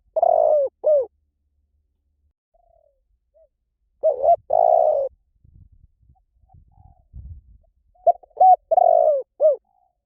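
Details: Spotted dove cooing in three low, mellow phrases about four seconds apart; each phrase is a short note, a higher clear coo, a long purring trill sliding downward, then a final falling coo. Soft low thumps between phrases.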